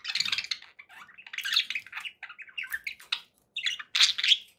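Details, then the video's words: Pet budgies call in irregular bursts of buzzy, squeaky chatter, some notes rising in pitch, with short silences between phrases and a louder cluster near the end. "budgie sounds for pet birds"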